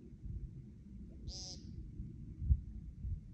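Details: An American woodcock gives one short, nasal, buzzy peent, preceded by a faint low note, before taking flight, over a steady low rumble of background noise.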